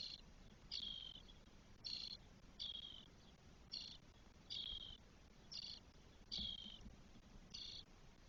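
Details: Four 12-day-old spotless starling chicks calling from their nest in Spain on 1 June 2022. Short rasping, hissy bursts repeat roughly every second, slightly irregular, over a faint low hum.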